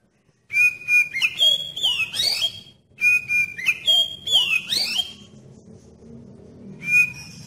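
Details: Oriental magpie-robin song used as a lure to prompt other magpie-robins to start singing vigorously: a clear whistled phrase opening on a steady high note, then rising and falling slurred sweeps, given twice, with a third phrase starting at the end.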